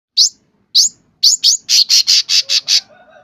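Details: Sooty-headed bulbul singing vigorously: a few sharp rising chirps high in pitch, then a quick run of five even buzzy notes, with a faint low whistle near the end.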